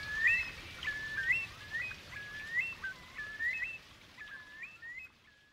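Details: Eurasian curlews circling overhead give clear, rising whistled 'cur-lee' calls, about one a second, some overlapping, over a soft background hiss.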